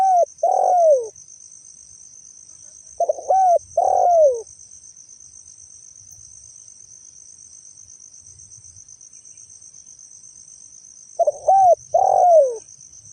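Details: Spotted dove, genuine call meant for lure use: three phrases spaced irregularly, each a quick double hoot and a falling coo, with long silences between them and a steady insect-like shrill tone and faint low noise.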